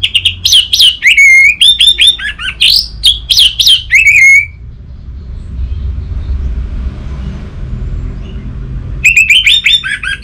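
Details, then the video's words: Orange-headed thrush in full song, used to stir quiet birds into singing: four seconds of fast, varied, loud whistled phrases with rising and falling slurs and trills, a silent gap, then the song starts again. "Burung ANIS MERAH Macetan Terpancing Gacor Didengarkan Kicauan Ini"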